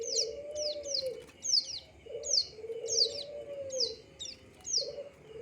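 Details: A plain prinia sings quick, bright notes that slide downward, some paired closely together, in a steady irregular series, while soft low coos from another bird run underneath.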